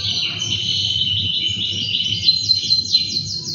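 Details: Caged two-year-old male canary singing as its owner comes close; continuous high, rippling trills with quick repeated notes changing pace, over a faint low hum.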